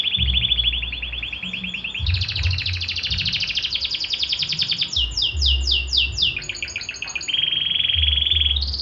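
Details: Belgian canary, called canário do reino, in full song: a long varied sequence of rapid trills shifting between pitches, buzzy rolls and fast repeated sweeping notes, with a low hum underneath.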